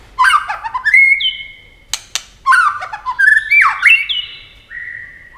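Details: Competition singing by a white-rumped shama, flashing wings and flicking its tail continuously: loud descending warbled flourishes leading into sustained pure whistles, broken by sharp ticking clicks between phrases.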